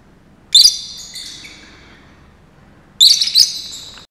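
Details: A male Fischer's lovebird at Saarbrücken Zoo, 30 May 2018, sings a little song while dancing: two bursts of shrill, high, chattering notes about two and a half seconds apart, with quiet room hiss between.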